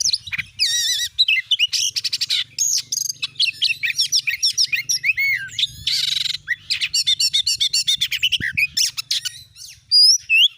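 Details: Kacer lure song for getting a kept Oriental magpie-robin into full song: long, nonstop stream of rapid chirps, trills, squeaky whistles and two harsh buzzy bursts, with a faint low hum beneath.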